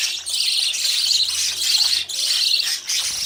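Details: Budgerigar babies out of the nest running after their parents for food; unbroken bright, busy high chirping chatter with two brief dips.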